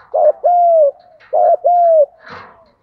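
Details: Two double coos from a spotted dove in the 'thúc gù' training style: each a quick low note followed by a longer hollow coo that drifts slightly downward, ending with a short scratchy noise.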